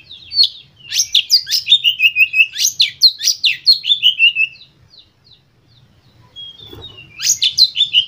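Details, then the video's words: Oriental magpie-robin singing a fiery lure song to trigger other birds: nearly four seconds of fast, loud, sliding whistles mixed with rasping notes, then silence and a fresh burst of shrill chatter. "Pancingan Kacer Full Emosi Ini"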